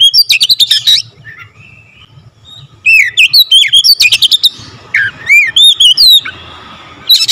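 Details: Oriental magpie-robin singing fast, tightly packed phrases with a full variety of fill-ins: bursts of sharp stuttering notes and looping whistles, a quiet gap, then bouncing up-and-down whistles and a final chirpy flurry.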